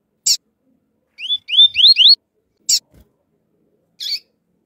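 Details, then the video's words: A male fluted-song Double-collared Seedeater (coleiro tui-tui) answered by a calling female: a burst of fluted, rising whistles framed by three sharp, high chip notes spaced about a second apart. "Coleiro tui tui Flautado Vs Fêmea de coleiro chamando"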